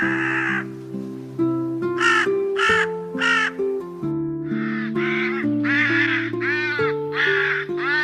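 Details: Run of about eight rasping crow caws of mixed length, some drawn-out and wavering, others clipped, with background music playing throughout.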